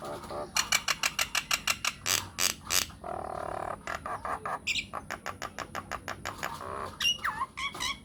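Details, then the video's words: Myna (jalak) lure recording meant to make other mynas answer: a fast run of harsh, buzzy, broadband squawks repeated about three per second, then a short pause and a few rising whistled notes near the end. "PANCINGAN / MASTERAN SAKTI UNTUK SEMUA JENIS JALAK, JALAK APA SAJA AKAN NYAUT | MYNAH BIRD"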